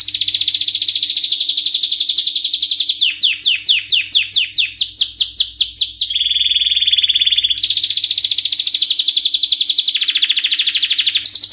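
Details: Singing canary delivering a continuous rapid high rattle, then a series of steep descending whistled sweeps, a steady sustained buzzy note, and more fast rattling trills with short pitch shifts, all loud and unbroken.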